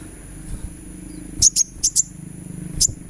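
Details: Sunbird calls played as therapy to make a bird sing: two pairs of piercing, very high chirps, then one more after a gap, with a faint low hum and soft background noise.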